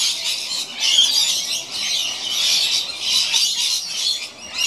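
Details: Two rainbow lorikeets playing on an old rope high in a gum tree, giving continuous harsh, screechy chattering squawks that rise and fall in loudness.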